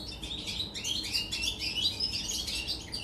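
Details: European goldfinch, 24 August 2019, singing a tight run of rising and falling twittered notes, bubbly and continuous, over a quiet low hum.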